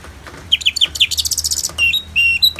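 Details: Orange-headed thrush (anis merah), North Bali, ngeplong song in a therapy recording with natural rain: quick descending chirps, then a burst of dense, buzzy high twittering, ending in clear level whistles over a low steady hum.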